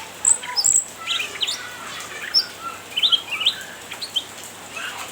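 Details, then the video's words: Cucak ranting in full voice, taunting an opponent: a rapid run of thin, high chirps and short twittering notes, loudest near the start and again midway. "Burung cucak Ranting gacor nyrecet menggoda lawan"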